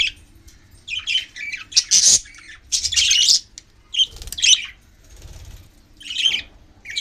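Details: Pet budgerigars in an aviary chatter in bursts of scratchy, warbling chirps and squawks, high-pitched and irregular.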